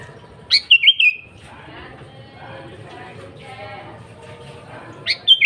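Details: Kutilang, the sooty-headed bulbul, singing gacor as a lure: a bubbly whistled phrase at the start, then a stretch of soft chattering murmur, and a second phrase beginning just as the recording ends.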